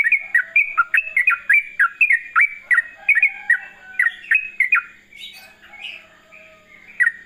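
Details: Yellow-vented bulbul (trucukan) in rapid 'ropel' song style: a fast run of bubbly, slurred whistled notes, each dipping and rising, repeated almost continuously for about five seconds, then softer, looser notes follow.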